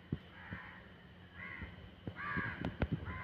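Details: Crow calling at midnight, giving a series of harsh, hoarse caws near half a second, one and a half, two and a half and three seconds, mixed with sharp knocks and a low background hum.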